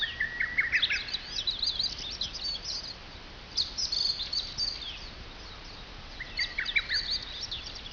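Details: Woodland birds at the base of Mount Fuji, Fujiyoshida, Japan, calling in scattered bursts: short high twittering runs and chirps separated by quiet gaps, several birds farther off over a steady hiss.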